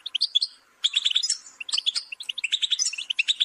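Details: A brief goldfinch phrase, then a silent gap, then a rush of fast, jingling twitters and chirps that carry on steadily to the end.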